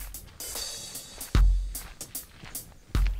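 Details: Drum-kit music with deep bass-drum thumps and snare hits, with no animal sound.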